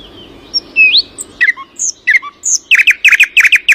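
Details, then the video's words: Early-morning song beginning with a single rising whistle, then varied high chirps and drops, finishing in a rapid burst of repeated short strokes. "Early morning: birdsong."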